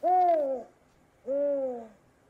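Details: Southern African Spotted Eagle-Owl giving two soft, mellow hoots about a second apart, the second slightly lower and longer; no other sounds are heard.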